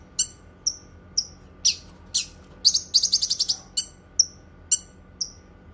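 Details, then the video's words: Cucak kinoi alternating high whistled chirps and sharp notes with a quick chattering run of about seven notes near three seconds; low hum in background. "Suara Kicauan Burung Cucak Kinoi"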